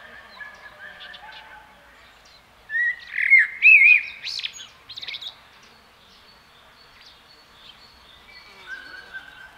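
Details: Common blackbird giving a brief burst of looping whistles followed by scratchy, squeaky twitters, set against a faint background of distant bird notes outdoors.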